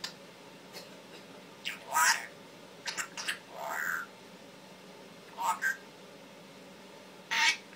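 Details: Pet male Timneh African grey parrot that mimics words, coughs and sounds, giving scattered harsh squawks mixed with short speech-like phrases spaced by pauses, in a quiet room.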